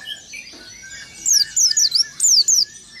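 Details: Rolling song of an oriental white-eye, said to rile rival birds: after a quiet start, three quick bursts of very high, sharply descending whistled notes, with softer lower chirping behind.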